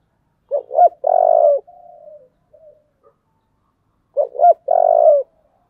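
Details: Spotted dove song in the 'giọng thổ' style: two quick rising coos, then a long buzzy drawn-out note, trailing into softer fading coos. The phrase repeats about three and a half seconds later against a silent background.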